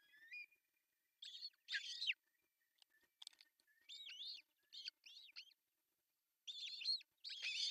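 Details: Osprey at a nest in Pohjois Satakunta, Finland, June 10, 2024, as the male brings fish for breakfast, recorded by nest camera; rapid high chirps with arched, ringing notes come in groups of two to four, then pause.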